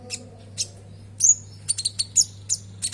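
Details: Common iora (konin) song serving as a lure for caged birds. High, sharp chirps and short whistled slurs repeat roughly once a second, growing denser toward the end, with a low background hum.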